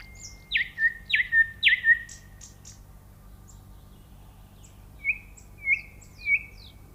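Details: A nightingale delivers three loud down-slurred whistled notes, a stretch of faint high ticks, then three softer level whistles spaced evenly.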